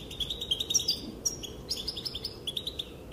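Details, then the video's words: Calls of a female European goldfinch, said to set males dancing: a quick run of sharp, tinkling chirps, closely spaced and rhythmic, with a brief pause near the middle before the twitter resumes, and faint low rumble beneath. "Sounds and calls of the female goldfinch make the males dance"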